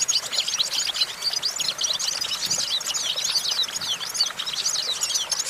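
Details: Perched goldfinch pouring out a dense, unbroken stream of high, tinkling chirps and buzzy trills, rapid and lively throughout.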